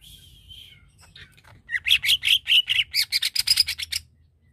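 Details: Greater green leafbird song used to provoke another bird: a soft wavering whistle leads into a fast series of loud, buzzy, rasping chattering notes repeated several times a second.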